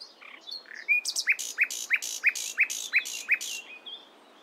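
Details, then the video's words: Morning song of a nightingale: a brief scratchy introduction, then a steady series of about eight loud, evenly spaced repeated notes, each a short sharp stroke, ending in a soft trailing whistle. "Nightingale Singing In The Morning"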